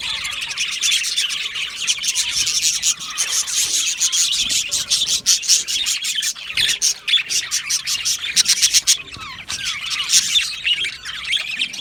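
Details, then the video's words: Australian budgies chattering in an aviary colony, a continuous busy mass of scratchy warbling, rapid chirps and squawks from many birds throughout, with no pauses. "Beautiful Australian Budgie birds aviary sound | Budgie singing and chirping sounds"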